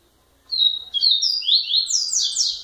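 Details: High, bright song phrase of a double-collared seedeater: slurred notes tumbling quickly and rising toward the end, continuing without a pause.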